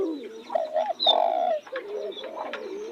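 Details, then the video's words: Spotted dove beside blooming roses giving a short coo, then a longer, louder, level hooting note, with quieter doves cooing underneath. "Nghe tiếng chim cu gáy hót cực hay"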